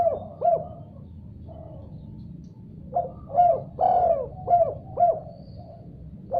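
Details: A spotted dove answers another call with eager cooing. A brief pair of coos opens, then after a pause comes a fuller run of five or six hollow, slightly descending notes, with a low background hum.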